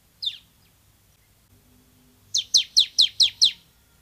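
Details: Bar-winged prinia (ciblek semi) singing in an active, full-voiced way as a tutor recording: one high chirp, then a quick run of six sharp, high, evenly spaced chip notes.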